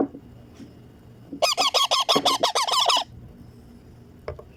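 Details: Feeding time for a pet baby Indian ringneck parakeet: after a quiet start, a loud burst of rapid, harsh, nasal begging squawks lasts about one and a half seconds, then light tapping sounds.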